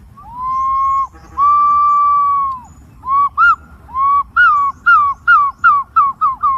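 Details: Green pigeon whistling two long level notes, then a run of short downslurred whistles repeated roughly every half second, with each note rising slightly before it drops.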